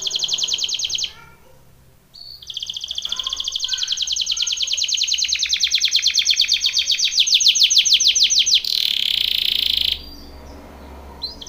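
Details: Belgian canary singing a training song: long, loud, fast rolling trills of rapid evenly repeated pulses, briefly pausing, then resuming for several seconds, ending in a harsh buzzy burst; no other animals heard.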